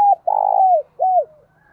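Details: Caged decoy spotted dove giving a calling phrase: a clipped note, a long buzzy low coo sliding down at its end, then a shorter arched coo, clear with a quiet background.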